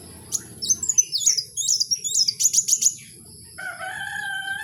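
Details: Kowul in the wild giving a lively string of high, sharp whistles and chirps about three a second, followed by a sustained lower, harmonic drawn-out note from another sound near the end.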